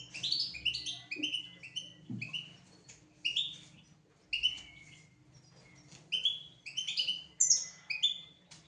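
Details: European goldfinch song recorded for teaching young goldfinches and canaries to sing: bright twittering phrases of rapid high chirps and liquid trills, delivered in bursts roughly every second with short pauses, plus faint low knocks in the background.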